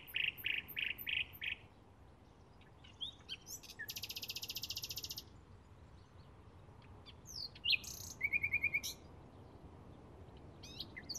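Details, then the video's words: A Bluethroat in May 2016 delivers a varied phrase. It opens with rapid pulsed notes, then a long dense buzzy rattle of about a second. After a pause come clipped twittering notes and a fast, bright trill. "Ruiseñor Pechiazul - Bluethroat"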